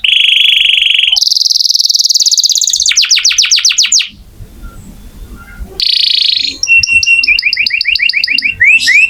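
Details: Canary singing energetically as tutor song for oriental magpie-robins: steady and rattling high trills, quick sweeps, a pause with low background rumble, then resumed buzzy trills and repeated chirping notes.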